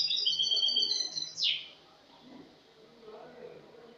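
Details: Spanish goldfinch in cante limpio, the clean song, recorded 22 August 2018: just over a second of quick high twittering, then a sharp descending sweep and near silence.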